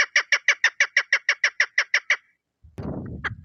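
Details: Hunters' lure recording of a female chukar: about a dozen rapid, evenly spaced clucking notes over two seconds, then a pause and a burst of rough handling noise.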